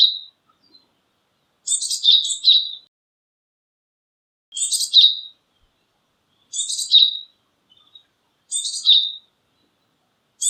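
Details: A Japanese tit repeats a short, high, chattering phrase with a whistled finish about every two seconds, five times over ten seconds, in quiet surroundings.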